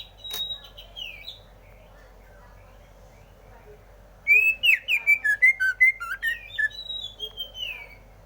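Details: Greater green leafbird: a few faint high whistles and a sharp click early on, then after a quiet spell a loud, rapid run of bright chirping and slurred whistles that trails off.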